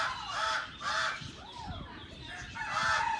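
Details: White-cheeked turacos (Menelikornis leucotis) in an aviary at Heemskerk, Holland, giving loud, harsh, throaty notes, each arching up then down, repeated roughly twice a second in a rolling series.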